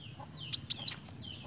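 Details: Kolibri wulung sunbird giving three quick, very high, thin chirps within half a second, with faint sliding whistles around them and a low background murmur.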